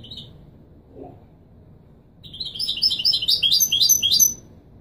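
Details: Goldfinch, authentic Marrakchi Widani song for teaching young birds: a lone brief high note, a short pause, then a two-second phrase of quick, tinkling twitters that rise and grow louder.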